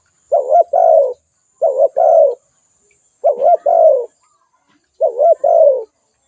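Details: Four calls from a spotted dove, each a short trembling coo followed by a longer descending coo, spaced a little over a second apart against a quiet background.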